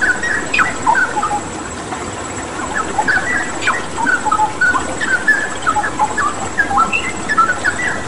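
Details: Straw-headed bulbul singing in strong form, mixed with running water for training pet birds: clear whistled phrases, some rising and some falling, repeated in loose bursts over a steady watery hiss.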